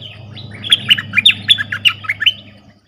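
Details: Streak-eared bulbul decoy calling wild birds with 'sap dok' and 'rik' style calls: a loud, continuous chatter of about nine sharp, bright chirps over two seconds, over a steady low hum.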